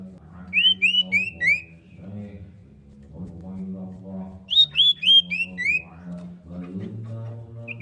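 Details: Female common iora calling the male: two bursts of four clear, slurred whistled notes, each burst rising then falling slightly, separated by a pause of about three seconds, over a steady low hum.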